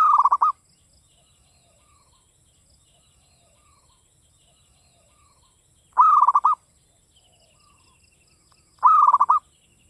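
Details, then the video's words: Local Java zebra dove singing in classic Mataram rhythm, three short rolling coo phrases of quick pulsed notes repeated at irregular gaps of three to six seconds, faint chirps of other birds between phrases. "PERKUTUT LOKAL GACOR cuman hitungan menit nyaut SUARA GARING"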